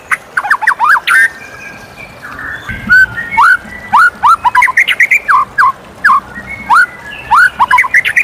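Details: White-rumped shama in full morning song, rich whistled notes rising and falling in quick irregular phrases, some sharp upslurred whistles repeated, with brief pauses between bursts.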